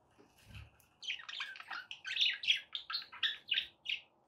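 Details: Budgerigar warbling played to help a pet parrot eat and sing: after a quiet start, a rapid series of bright chirping notes, about three or four per second, steady to the end.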